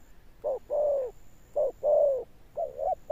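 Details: Spotted dove with a deep thunder-like coo: a brief burst of two short-long pairs of low, hollow notes, the long notes slightly falling, with a faint high hum in the background.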